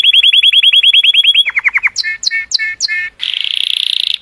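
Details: Song of a cheerful color canary, sung to stimulate females: a quick series of repeated clear notes slowing and dropping, four loud slurred notes, then a dense buzzy trill.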